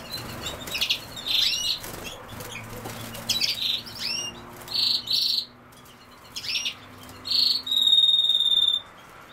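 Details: European goldfinch, named alongside common sow-thistle, delivers high liquid twitters and buzzy bursts in repeated phrases, ending with a sustained thin trilled note; quiet steady low hum behind.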